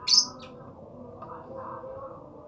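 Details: Lovebird giving a single sharp, shrill high-pitched chirp at the start, followed by quiet room background.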